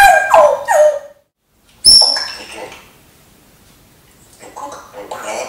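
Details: A talking pet parrot imitating a dog gives three quick, falling, dog-like barks, then after a pause one harsh bark, followed by softer muttering sounds.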